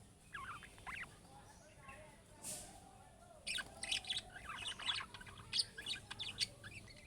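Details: Budgerigar chick-style calls meant to draw answers from other budgerigars: a few soft scratchy notes, then a brief hiss, followed by a run of dense, buzzy chattering chirps over light background noise.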